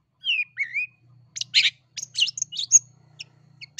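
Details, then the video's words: Long-tailed shrike from East Java in full song, used to stir other birds into singing: two drawn, slurred whistles, then a burst of scratchy chattering notes over a faint low hum. "PENAKHLUK MALAS BUNYI CENDET JATIM GACOR. suaranya dijamin terAmpuh Bikin Ikutan BUNYI, AWAS NYAUT!!"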